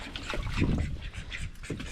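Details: Call ducks, whose females can be quite loud, give a few short, hoarse quacks in their pen while being tended, with low rumbling handling noise and splashing close by.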